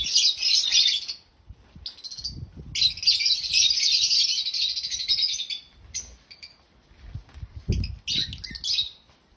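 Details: Happy African lovebirds chirping loudly: dense, shrill, high-pitched chatter in long unbroken stretches, broken by short pauses, with faint low thumps underneath.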